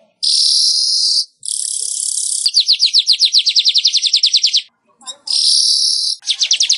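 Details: Weaver singing, a recording meant to prompt caged weavers to sing: two long high sizzling buzzes lead into a long, fast train of sharp ticks, then a pause, another buzz and a final quick ticking run.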